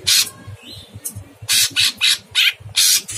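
Sooty-headed bulbul giving very harsh, raspy squawks, about seven bursts in three seconds, over a faint low rumble.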